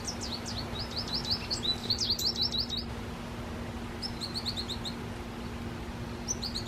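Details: American goldfinch in a tree and drinking water, giving bright, high twittering notes in quick bursts, with short pauses between runs; a steady low hum underneath.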